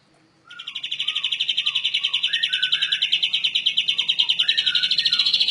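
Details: Canary delivering a rolling song, played as song material for other birds to learn: after a short silence, a fast, pulsing high trill runs continuously, about three pulses a second in swelling beats, with softer lower slurred whistles beneath it.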